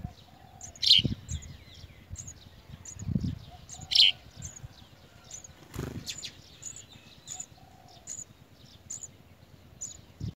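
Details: Chick of a house sparrow being fed a large blue caterpillar by the adult bird; high, short chirps come in quick series with louder squeaky bursts, accompanied by soft thuds and rustling.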